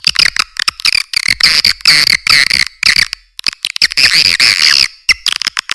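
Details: Swiftlet calling sounds, offered as a lure sound for attracting swiftlets: dense runs of high, buzzy twittering chirps in rapid bursts with short silent gaps, steady and loud throughout, no low tones present.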